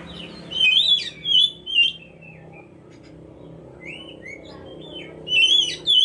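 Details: Oriental magpie-robin singing as a lure for other birds: clear whistled phrases with rising and falling slurs in short bursts, a pause with softer notes, then loud whistles again over a low background hum.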